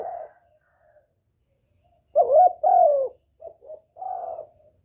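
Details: Spotted dove lure call for attracting a male: the tail of a coo, a pause, then two strong, slurred coos followed by two small soft notes and a final softer drawn-out coo.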